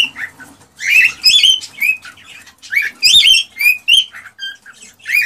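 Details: A male cockatiel in excited breeding song, meant to push a female toward mating: bursts of rich harmonic whistles and warbled chirps in uneven groups, with brief quiet gaps between phrases.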